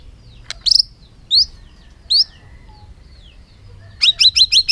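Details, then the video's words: Bird giving several short, separated, rising chirps, then a fast series of five high, evenly spaced chips at the end, over quiet background. "suab noog quaj zoo heev"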